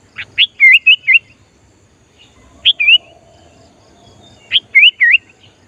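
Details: Sooty-headed bulbul, a lively singing bird used to lure wild bulbuls, repeats a short bubbly whistled phrase of rising and wavering notes three times, roughly every two seconds, with a faint hum behind.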